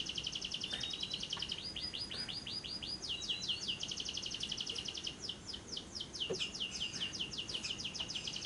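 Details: Long ngekek trill of a lovebird, a lure recording for day and night to make lovebirds sing: high, rapid, rattling notes repeated continuously across the whole stretch, with slight changes in pace.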